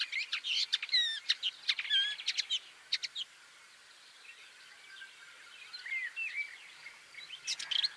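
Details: Woodchat shrike, Lanius senator, with a scratchy jumble of quick chattering notes and short whistles in the first three seconds, then a softer warbling passage and a brief loud burst at the end.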